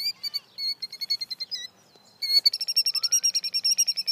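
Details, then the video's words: A bird chirps on a lawn in rapid, sharp, high notes, about two or three a second, with a short pause midway before the chirping speeds up again. "bird chirping"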